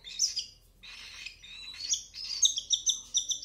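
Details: Hand-fed cockatiel chick calling. Scattered high squeaky notes at first, then a quicker string of pulsed chirps toward the end.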